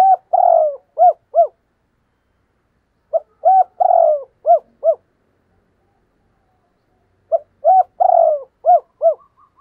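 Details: A spotted dove used as a decoy caller to lure wild doves gives soft, low cooing phrases of several notes, repeated every few seconds.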